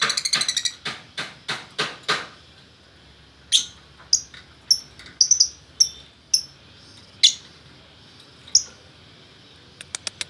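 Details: Male and female lovebirds from Bukittinggi, West Sumatra: a burst of fast clicking notes, then single high piercing chirps spaced irregularly over several seconds, with faint ticks at the end.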